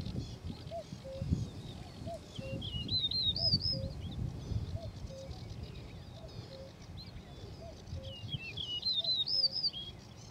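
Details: Singing male Yellow-breasted Bunting: two short phrases of bright, twisting whistles about six seconds apart. A steady series of soft low piping notes from another bird runs underneath, with rumbling background noise.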